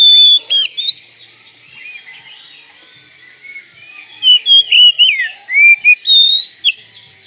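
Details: Kacer manjur song, an Oriental magpie-robin tutoring recording for any time of day: a harsh buzz and whistle open it, then a quiet pause, then a lively run of rising and falling whistled notes and slurred phrases.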